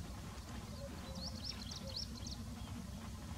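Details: A courting pair of Indian spotted creepers calls constantly, with a quick run of thin, high, twittering notes in the middle of the clip over a steady low rumble.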